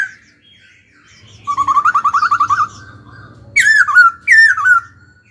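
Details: Caged laughingthrush singing during stimulation training (kích bổi): a rapid, pulsing trill of about a dozen notes, then two loud, clear down-slurred whistles, over a faint low hum.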